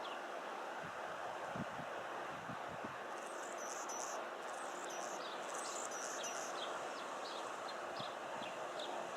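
A hummingbird gives thin, very high chips and squeaky twitters in short bursts over a steady rumble of wind or distant traffic.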